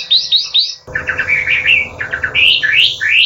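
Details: Chinese hwamei, used as a master song to provoke rival birds, singing loud, varied phrases of rich rising whistles, repeated in quick runs, with a steady low hum beneath.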